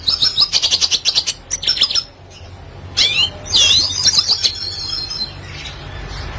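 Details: Lively red siskin song in a classic style, offered as tutor material for young birds: quick rhythmic high chirps, then slurred buzzy notes dipping and rising, trailing into softer twitters above a faint low drone.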